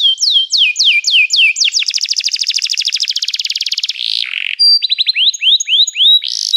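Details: Canary song opening with looping downslurred whistles, then a very rapid rattling trill, a short buzzy burst, and a closing series of upward-hooked whistled notes.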